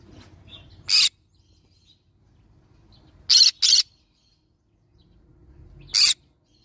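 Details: Yellow-sided green-cheeked conure parrot giving short, harsh, noisy screeches: a single burst, then a quick double burst, then another single one, spaced a few seconds apart over a faint low rumble.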